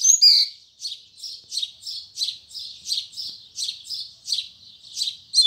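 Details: Double-collared seedeater delivering the 'tui tui zel zel' song firmly in the morning: a sharp opening note, then about ten evenly spaced buzzy 'tui' notes, one every half second.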